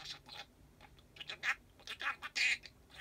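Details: Caged pet parakeet talking to itself in a darkened room after lights-out. Quick, husky, murmuring syllables come with brief squeaky chirps, in uneven clusters separated by short quiet gaps.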